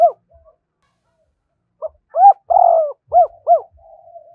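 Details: Spotted dove full cooing song, used to stimulate newly caught doves: short rising-falling mid-pitched notes, then a paired hoot and a longer drawn-out coo, with faint trailing notes.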